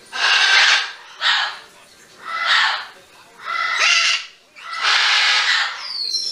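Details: A 22-year-old severe macaw on its first day at a sanctuary, 6 September 2015, gives five loud, harsh, raspy squawks, each about half a second to a second long, with short pauses between them.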